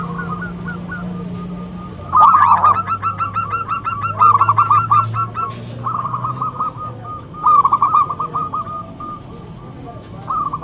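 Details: Local zebra dove with a loud voice, kept as a lure bird to draw other doves into answering; after two quiet seconds, fast bubbling cooing phrases of rapid stuttered notes come in repeated bursts over a low steady hum.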